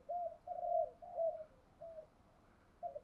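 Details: Spotted dove giving a fast calling coo sequence used to stir decoy birds: low, soft, hollow coos in a quick run of three, then two more spaced notes, in a quiet setting.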